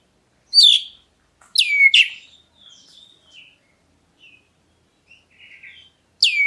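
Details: Black-breasted Oriental magpie-robin calling as a lure for other birds to reply; widely spaced loud whistles that sweep sharply down, with soft low twittering between them and long quiet stretches.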